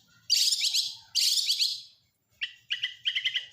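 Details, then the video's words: Oriental magpie-robin, national kacer type, singing with imitations of lovebird, canary and prinia. Two loud, harsh, rasping bursts come first, followed after a pause by short stuttering chirp clusters. "Masteran burung KACER FULL ISIAN | Kacer Nasional isian lovebird kenari prenjak"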